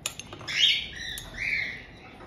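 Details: White-bellied caiques kept as a resident pair in Tokachi, Hokkaido, Japan, greet a young bird just over two months old, 18 June 2023. There are two grating, drawn-out squawks, the second lower and steadier, over faint indoor background noise.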